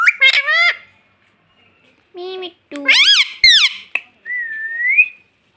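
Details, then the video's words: Pet rose-ringed parakeet talking, saying words such as "mummy" and "mitthu": quick rising nasal syllables, a pause, a lower drawn-out syllable, then squeaky rising and falling word-like sounds ending in a smooth upward whistle. "Talking parrot || mummy mummy mitthu mitthu bolta tota"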